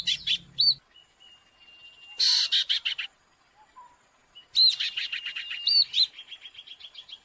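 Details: Owlet calling noisily, used as a lure: bursts of harsh, scratchy chatter alternate with brief high whistled notes and short quiet gaps, with a longer rapid harsh sequence in the second half.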